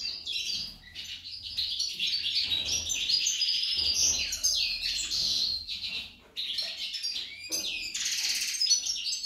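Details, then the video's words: Busy high-pitched song of a female goldfinch, said to resemble a hummingbird: rapid chattering twitters and trills, a short silence after six seconds, then renewed bright chirping. "Impresionante la jilguera parese un colibri"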